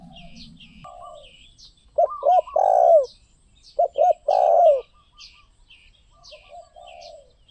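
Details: Spotted dove song with two full phrases. Each has two quick hooting coos and then a long wavering coo. Soft twittering of other small birds runs underneath.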